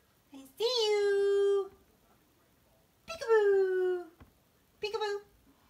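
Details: Pet parrot that loves playing peekaboo, calling out three long, drawn-out nasal phrases in imitation of human speech, separated by pauses of one to two seconds.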